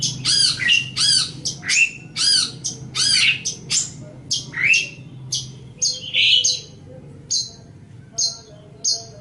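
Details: Long-tailed shrike, known locally as cendet or pentet, singing a master song for tutoring other birds: harsh stacked chattering notes in quick pairs, then scattered high sharp chips and a rising whistle, with a faint low hum.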